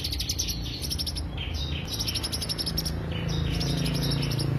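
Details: Greater green leafbird song used as a lure, with quick runs of bright, high chattering notes and some short downslurred whistles, over a continuous low hum.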